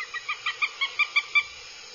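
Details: Goshawk chicks at their nest in Abernethy, Scotland, 2022, acting aggressively, heard through a live nest camera: eight or nine clipped, harsh, harmonic yelps repeated rapidly and building in strength, with faint hiss behind.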